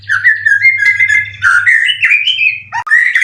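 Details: White-rumped shama, a caged competition bird in 90% condition, three moults, cililin-style material; sustained run of clear whistled notes stepping upward, with short chirps between, over a faint low hum.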